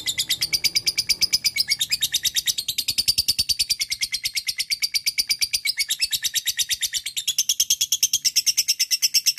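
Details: Extended lovebird ngekek chatter, a lure calling a rival: nonstop fast rasping notes, high and harsh, holding a steady rhythm for the whole stretch with small shifts in pitch.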